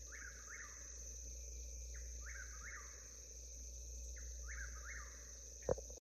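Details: Three rhythmic whistled phrases, each in three parts, from a southern whippoorwill in the historical Alabama Black Belt. Steady insect drone behind, with a sharp knock near the end.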